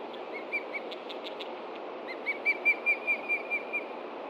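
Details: Osprey at its Montana nest on 30 June 2013, mid-morning, reacting to danger from the ground while chicks stay put. Scattered single whistles lead into a rapid series of about eight loud, clipped notes.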